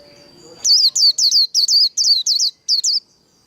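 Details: Japanese white-eye fighting song in the líu đấu style. About ten shrill, rapidly repeated notes each dip downward, starting suddenly after a faint background hum.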